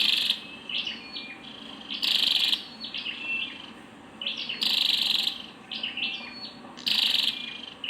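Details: Scarlet-backed flowerpecker, female, giving harsh buzzy calls at irregular intervals, with bright high chips and short twitters between the louder bursts.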